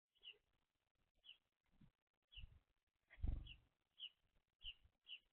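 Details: Baby house sparrows (Passer domesticus), messy eaters at seed, give short, bright chirps, eight or so in five seconds, roughly evenly spaced, over low thumping noise.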